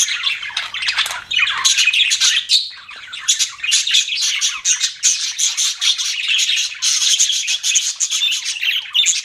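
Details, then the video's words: Several pet budgies fill the air with a steady, dense wall of high twittering and scratchy chirps, strongest in the second half, with no silent breaks. "BUDGIES CHIRPING SOUND"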